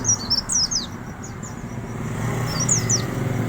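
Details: Wild Oriental white-eye giving a fine 'riwik' twitter: bursts of quick, thin, high chirps and short downward-sliding whistled notes, with a pause mid-clip, over a steady low engine-like rumble.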